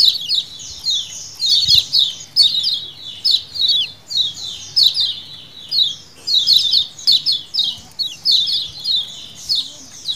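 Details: Wild-style colony calling by lemon-bellied white-eyes, used to lure birds: rapid sequences of high, down-slurred chips from several birds, pulsing in bursts about twice a second with little silence.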